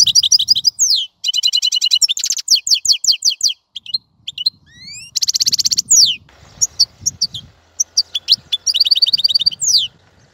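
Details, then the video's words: Continuous goldfinch song, a long jumble of tinkling twitters, buzzy rattling trills and sweeping slurred notes, with light low thumps and some noise underneath. "تغريد طائر الحسون | فيديو رائع لتغريد الحسون"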